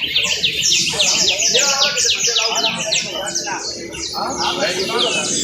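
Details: Canary delivering a bright, high trill: rapid runs of sharp descending notes repeated in quick succession, loud and close, with short rolling phrases between them.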